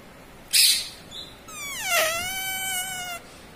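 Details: Pet parrot (tota, mitthu) imitating speech, taught to say mummy and papa: a short harsh burst, then a drawn-out, harmonic-rich voiced word that glides downward and holds for over a second against quiet room background.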